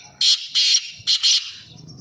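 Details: Black francolin, a hobbyist's speeder bird, giving four loud harsh grating notes in two close pairs, with rustling below.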